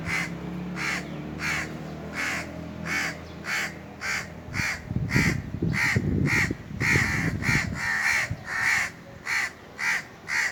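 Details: Indian crows caw atop a tree in the summer heat, a long regular series of harsh, nasal caws at about two per second, with a burst of rustling noise partway through.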